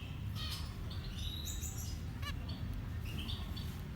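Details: Young birds at feeding time: scattered sharp high chirps and squeaky notes, with one quick stepped trill in the middle, against constant low-pitched background noise.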